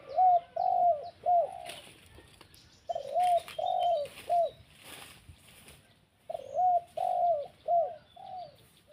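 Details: Spotted dove, a lure recording for calling wild birds: phrases of soft mellow coos, each group of three to four hooting notes with a rising-falling inflection, repeated after short pauses, over faint rustling and background noise.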